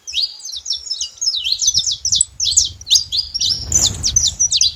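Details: Saffron finch singing freely outdoors: a quick string of crisp, high chirped notes, some buzzy, in a continuous flowing phrase, with a brief low rustle midway.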